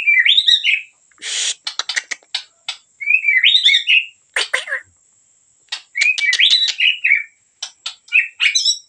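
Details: Medan-type white-rumped shama singing vigorously: varied bursts of sweet whistled phrases and rapid chattering notes, separated by short pauses, over a faint steady high whine.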